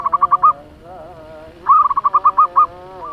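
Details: Lure zebra dove of the local type giving a fast song meant to excite other doves: two quick bursts of rolling, evenly spaced coos separated by a soft, low, drawn-out murmur.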